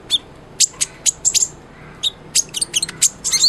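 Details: Short burst from a kolibri ninja sunbird singing actively, tutor song for white-rumped shama: separate sharp high ticks, then a quick squeaky twitter at the end.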